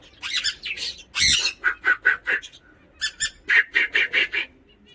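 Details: Neelu, a tame pet Swainson's (rainbow) lorikeet, angry and egged on to "fight", gives harsh, rasping squawks in quick bursts, about a dozen in five seconds, with a person speaking briefly.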